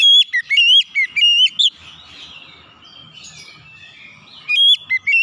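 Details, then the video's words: Powerful whistled song of an oriental magpie-robin, used to coax untrained kacer into singing: rapid loud whistles at the start, soft chattering warble in the middle, then renewed sharp whistles. "terapi Kacer bahan langsung ngeplong buka paruh gacor power suara keras"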